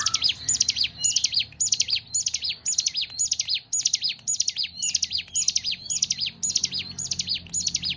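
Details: Hill prinia (ciblek gunung) singing a rapid series of high, sharp zigzag phrases, each a quick tumble of chirpy notes, repeated about twice a second, some fifteen phrases in a row with low background hum.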